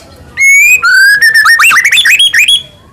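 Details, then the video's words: Morning white-rumped shama song used to coax a pet bird into singing: a long clear whistle, a lower sliding whistle, then a quick run of bright up-and-down slurred notes. "PANCINGAN MURAI PAGI HARI GACOR FULL KRETEK"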